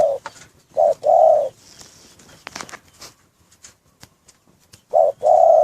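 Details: Spotted dove in a breeding cage: low cooing phrases, a short note followed by a longer hummed coo, repeated after a pause, with scattered clicks and faint rustling between.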